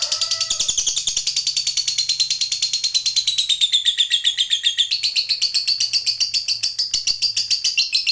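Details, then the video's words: Fighter lovebird from the bird-hobby scene, a few whistled notes leading into a long ngekek: continuous, rapid, piercing chatter running over eight seconds with a slowly shifting pitch. "Suara Burung Lovebird Ngekek Panjang"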